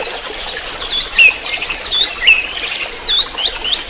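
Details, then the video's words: Orange-headed thrush trotol song as a tutor track: short sharp high chirps and quick descending whistles in a jerky run, some notes very high and thin. "Pancingan Masteran Anis merah TROTOL"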